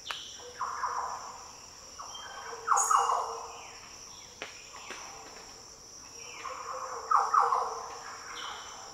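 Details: Deep, liquid Green Oriole song phrases in the Daintree rainforest, northern Australia. Warbled, rolling bursts about every four seconds, with softer slurred notes between, possibly birds countersinging, over a continuous high-pitched insect hum.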